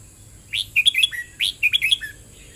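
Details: Red-whiskered bulbul singing in the song style called "เบิ้ลริก": two quick phrases of about five bright, bubbly whistled notes, sliding up and down, with a short gap between them. A steady thin high hiss runs throughout.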